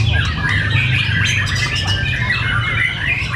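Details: Contest between white-rumped shama fighters at Cibinong. A short stretch of mixed whistles and harsh calls overlaps heavily, with strong low-pitched background rumble and faint voices.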